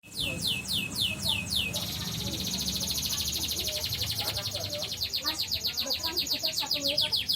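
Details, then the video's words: Yellow canary song used to prompt another bird to sing: fast repeated high downslurred notes, then a long rapid rolling trill, over background noise and a person talking. "Pancingan suara burung kenari kuning"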